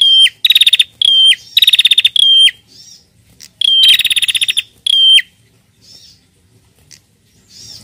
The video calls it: PRENJAK BETINA GACOR NARUNG JANTAN